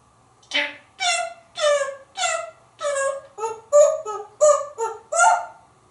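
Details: Male African grey parrot, hatched in 1997 and kept in a home in Texas, talking while perched atop a glass enclosure: about ten clear speech-like syllables with rich harmonics, human-sounding phrasing in a quiet room.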